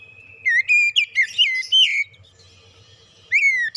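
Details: Whistled oriental magpie-robin song used as a lure for other birds: a run of bright, wavering whistles over about a second and a half, a quiet pause, then one more downward-sliding whistle.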